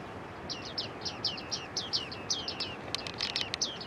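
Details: A flock of bearded reedlings (bearded tits) in early autumn at Newport Wetlands gives quick, high, metallic 'ping' calls, several birds overlapping two or three times a second over steady hiss, as large flocks fly and descend; a male is in focus.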